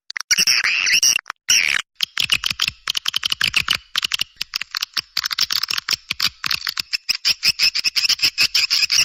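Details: Recording for attracting swiftlets, opening with a brief buzzy twitter, then a long run of rapid, dry, rattling clicks repeated several times a second.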